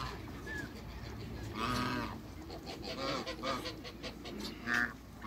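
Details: African geese, a pair kept in a backyard. Scattered nasal honks of varied pitch, some short and clear, others drawn out and hoarse, over a busy background of softer calls.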